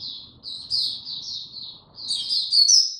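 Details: Oriental white-eye, recorded 02052022, giving a short, thin, high warble of slurred whistles that rises into brighter, sharper chirps at the end. A quiet low hum lies beneath.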